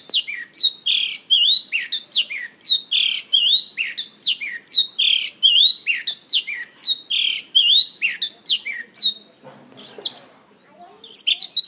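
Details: Mongolian lark (Melanocorypha mongolica) singing and dancing on a stage, pouring out a fast, high song of chirps, trills and slurred whistles in quick, varied bursts, with a brief rustling noise near the end.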